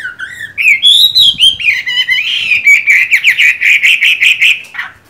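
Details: Chinese hwamei with mung-bean eyes, singing during the moult: loud, varied melodic phrases of looping whistles, then a quick rhythmic series of bright repeated notes ending abruptly.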